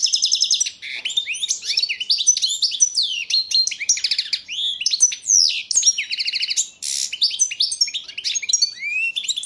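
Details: European goldfinch, Carduelis carduelis balcanica, recorded as a 2022 song-championship entry in Serbia; sustained fast twittering with rattling trills, upslurred whistles, a short rasping buzz and scattered sharp chirps.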